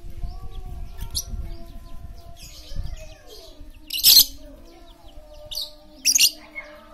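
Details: Very chatty lovebird used as a lure to get quiet lovebirds singing; two harsh, buzzy high bursts of chatter stand apart, over rumbling low noise early on and a faint steady hum.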